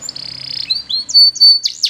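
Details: Belgian canary song with a long buzzy held tone, short pure whistles and a sharp sweeping flourish at the end.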